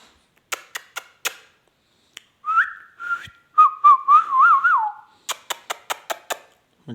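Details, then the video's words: Talking parrot producing a long warbling whistle with wavy, looping pitch over about three seconds, bracketed by series of sharp tapping clicks before and after, indoors. "talking heavan beutyfull beutyfull parrot"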